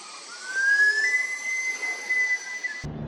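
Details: Green-backed kingfisher (Actenoides monachus), an endemic of Sulawesi, singing in a nature reserve: one long drawn-out whistle that slowly rises, then holds steady for nearly three seconds before cutting off.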